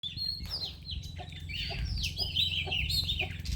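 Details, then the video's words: Shama singing a high, varied warbling song of quick slurred whistles and chatters, continuous throughout, over a strong low mechanical hum. "Burung Murai"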